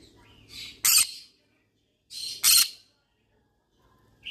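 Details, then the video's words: Yellow-sided conure calling because it is looking for friends to talk to: two harsh, loud squawks about 1.6 seconds apart, each led by a softer rasping note, then quiet. "Yellow sided conure sounds : I'm looking for friends to talk to , parrot talking sound."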